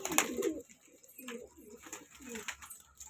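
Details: A young breeding pair of pigeons, likely the owner's, gives soft, low, throaty coos in short rolling phrases, about one every half second, indoors with a brief louder flutter at the start.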